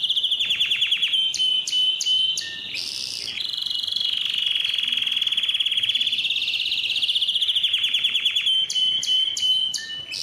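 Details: Canary song meant to encourage males to sing and to teach young birds: sharp staccato clicks and brief notes open into a sustained rolling trill, then clicking bursts and falling notes return.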